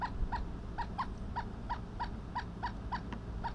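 A Pileated Woodpecker gives a steady series of loud, hollow wuk notes, about three per second, over a low rumbling background.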